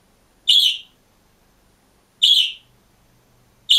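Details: Lone budgerigar in a cage giving single buzzy, high chirps, each slightly falling, spaced well apart, about one every one and a half seconds, with near silence between them.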